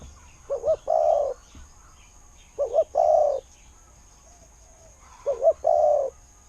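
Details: Kuu-ang style cooing from a spotted dove used as a decoy. The bird repeats its phrase three times about every two and a half seconds, each a double hoot followed by a rounded, sustained coo, against quiet background.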